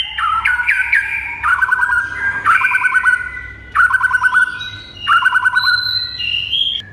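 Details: White-rumped shama, a training recording used to prompt other birds to answer, gives loud phrases of descending whistles with rapid trilled notes near the middle of its range, repeated in bursts about every second, plus a rising high whistle at the end.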